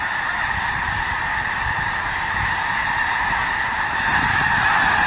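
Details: Massed snow geese wintering in Skagit Valley, thousands strong, give a thick, constant din of yelping honks that grows slightly louder toward the end.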